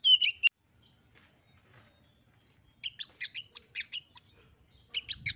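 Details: Female oriental magpie-robin calling to provoke males into agitation and fighting: an opening burst of high chirps, a near-silent stretch with faint background rumble, then a run of rapid, evenly repeated sharp notes.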